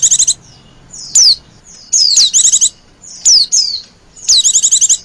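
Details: White-eye 'pleci ribut' lure call aimed at wild white-eyes: high chatter bursts and clear downslurred whistles, roughly one phrase every second, with quiet gaps between.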